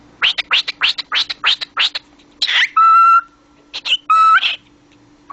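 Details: Talking cockatiel kept as a pet delivers a quick string of clipped, raspy speech-like syllables, about five per second, then breaks into two sustained, pure, flat whistled notes with a gap between them.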